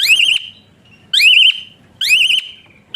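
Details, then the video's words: Training whistle of an Asian pied starling: three long, loud whistles, each rising then wavering in a quick trill before fading, about one per second. "Burung Bersuara PELUIT Jalak Suren Tembakan Kasar Rapat"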